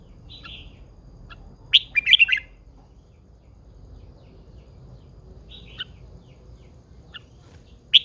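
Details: Caged red-whiskered bulbul, an old wild-caught hen: scattered sharp chirps and one short warbled phrase separated by long quiet gaps, over a faint low hum.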